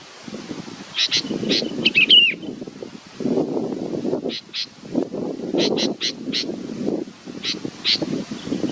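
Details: Chick waiting for its mother calls in short, high chirps, often doubled, with a quick warbled phrase early on, while low rustling of leaves and wind rises and falls throughout.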